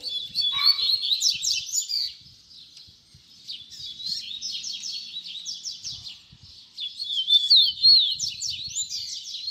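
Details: Double-collared seedeater singing a baderna-style song used as a tutor for young birds to learn from: rapid, buzzy, high-pitched phrases of quick down-slurred notes and twittering trills, run together almost continuously with short pauses.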